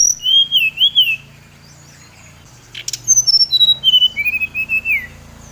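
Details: Bali-type brown-chested jungle flycatcher delivering a provoking lure song: wavering looping whistles, a long gap, then a lively run of short descending whistles and warbled notes, over a faint low hum.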